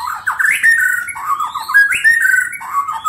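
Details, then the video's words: White-rumped shama of the Medan type, prepared for the 2019 Presiden Cup contest, singing a fast song rich in mimicked cililin, canary and lovebird phrases: loud, rapid, varied whistled notes sliding up and down, with rising swoops and no pauses. "Murai Batu Medan speed cepat"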